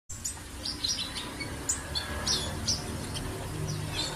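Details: Sunbird giving scattered high, thin chirps and short downslurred tweets, spaced irregularly over a steady low background hum.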